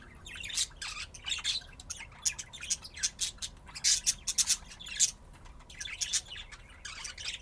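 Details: Playing budgerigars kept in Austin, Texas, USA, chattering almost without pause: quick scratchy chirps and clicks in irregular bursts throughout, loudest in the middle.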